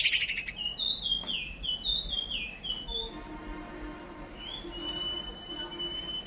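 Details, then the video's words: White-rumped shama, a female calling as a decoy to provoke a male into fighting: a run of short sliding whistled notes, each dipping in pitch, about one per second, then a long steady whistle. A faint low hum runs underneath. "Chim Huýt Cô Mái Mồi Đấu"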